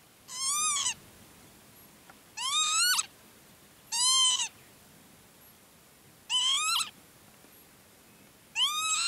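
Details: Northern Lapwing calling repeatedly at Herdla Bird Preserve, Norway, from an elevated levelled patch of land: five strongly rising, wheezy upslurred notes at roughly two-second intervals, clear against a calm background.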